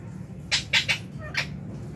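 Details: Lovebirds in an aviary at meal time, January 2023: four short, harsh, buzzy squawks in quick succession over a low background hum.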